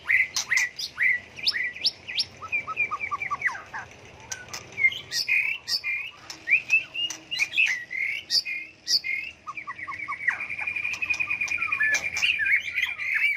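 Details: A white-rumped shama pours out a long, ever-changing song used to challenge birds into song contests. It mixes whistled slides, rapid chirps and short trills, and closes with a sustained buzzy, warbling passage.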